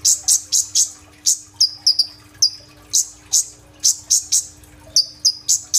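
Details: A sunbird, known locally as kolibri ninja, sings energetically in a 'tembakan' shooting style with fill-in phrases. It gives sharp, very high chirps in quick bursts with brief gaps and a few short descending notes. Recorded on a phone.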